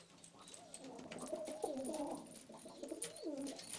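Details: Istanbul pigeons with pearl or red eyes, a domestic breed: several low cooing phrases rise and fall in wavering loops, overlapping continuously, with faint clatter and hiss in the background.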